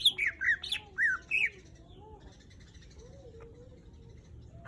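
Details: Greater green leafbird, a caged songbird kept as a lure for other singers, gives a quick run of loud, slurred whistled notes, then falls silent apart from faint low background tones.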